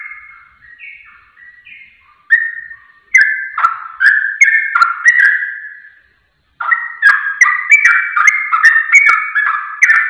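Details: Lure recording of a sooty-headed bulbul, meant to set other birds singing in seconds. Mellow whistled notes that build into choppy, bubbling phrases, a short gap, then a fast string of liquid, descending chirps.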